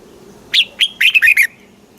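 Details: One crisp song phrase of a red-whiskered bulbul from Thailand, southern master style, meant to excite caged bulbuls and teach young: a rising whistle, a sliding note, then three quick bubbly warbles.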